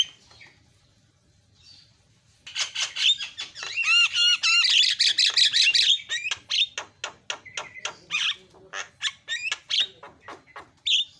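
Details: Bait sound for provoking Javan mynas to call: a quiet start, then a loud burst of overlapping squawks and warbled whistles that breaks into a fast series of harsh, clipped notes.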